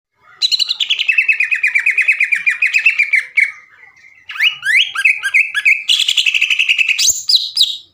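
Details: Greater green leafbird, likely caged, in full song used to provoke other leafbirds into singing. A long, rapid, machine-gun-like trill falls then levels off, followed by slurred whistled notes and another fast chattering trill.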